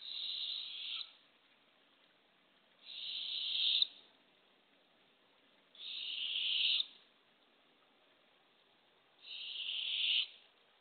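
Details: Barred owl nest box on April 27, 2024, early morning, female delivering a baby opossum to two hungry owlets: four loud, steady, breathy hisses, each about a second long, repeating roughly every three seconds.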